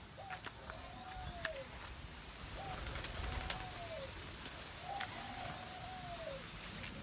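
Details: Spotted dove, recorded 21 August 2021, giving a steady run of three coos, each a short clipped lead note followed by a long, smooth, gently falling coo, repeated roughly every two seconds over light background noise.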